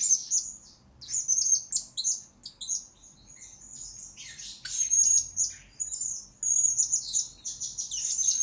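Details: Blue-crowned hanging parrot, recorded as a master song for lure birds, keeps up a rapid, high-pitched stream of shrill chirps and thin whistles with few gaps, louder toward the end.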